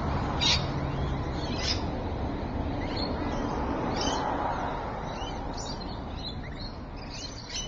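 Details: Rainbow lorikeets at Evans Head, recorded 26 May 2012: short, harsh, high-pitched screeches come in scattered bursts a second or two apart over a steady rushing background noise.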